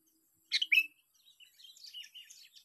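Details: Sooty-headed bulbul, trapped by luring, opens with two loud, sharp notes, then trails into a soft, rambling twitter.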